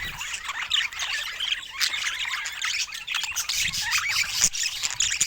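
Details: Budgerigar flock kept as pets, busy overlapping chatter of scratchy warbles and high chirps that runs without pause, a few louder squawks rising above the mass.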